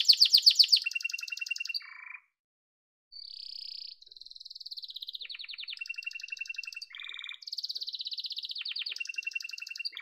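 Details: Yellow canary in song: a loud opening trill, then a second of silence before a sustained whistled note, followed by alternating buzzy rolls, lower stuttering trills and rapid repeated chips.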